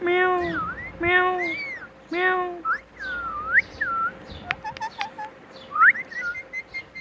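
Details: Talking pet parrot saying "Mitthu Mitthu" in a cute voice: three strong harmonic voice-like syllables about a second apart, then looping whistles, clicks and a few short chirps.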